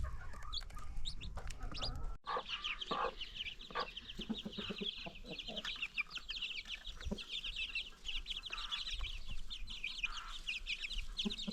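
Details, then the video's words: A free-range flock with new baby chicks, where a dense chorus of many high chick peeps runs continuously, with occasional lower hen clucks and a brief thud early on. "Chickens farm 100#new baby chicks#free range"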